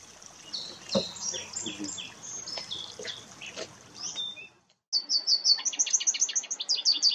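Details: American goldfinch song: a long, rapid run of high, varied twittering and slurred notes for over four seconds, a brief gap, then a quick burst of repeated bright chirps.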